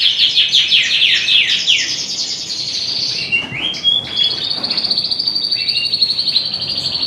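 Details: Male canary or finch in a breeding birdroom gives its morning wake-up song, with other cock birds singing: a fast, continuous, high warbling song of rapid trills and sweeping whistled notes.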